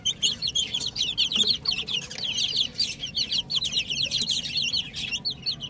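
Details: Baby chicks playing together peep continuously, many high, short chirps overlapping several times a second, forming a busy chorus with a low background hum.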